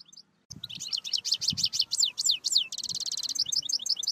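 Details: European goldfinch song used to train goldfinches: after a brief pause, a fast run of bright chirps and descending twitters, then an even buzzy trill and more quick, tinkling notes, with faint low thumps underneath.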